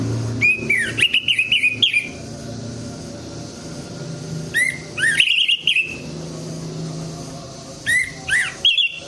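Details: Orange-headed thrush song played to stimulate silent birds: short bursts of bright whistled phrases with rising and falling slurs and rapid trills, separated by pauses of several seconds over a steady low background hum.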